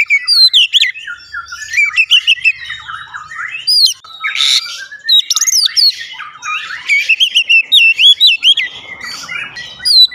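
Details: Long gacor performance by an Oriental magpie-robin, dense and varied: wavering whistles, harsh rasps and rapid chattering notes following each other almost without pause.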